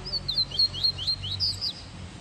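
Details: Pet male Double-collared Seedeater sings a rapid string of high, sweet chirped notes, about four per second, sliding up and down with a brief richer trill near the end.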